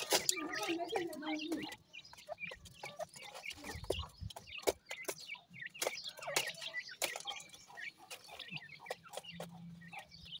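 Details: A group of grey francolin chicks at feeding chirps steadily in thin high peeps and twitters, with a low rumble, rustling and many dry clicks from pecking.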